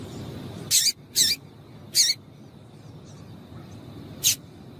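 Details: Female double-collared seedeater calling to excite a male into singing: three short, harsh, very high chips within about a second and a half, then one more after a pause, over a faint low background hum.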